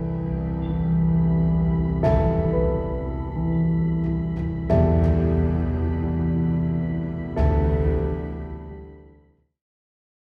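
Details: Slow ambient piano-like music with sustained chords and three struck accents, fading out into silence, with no animal sounds.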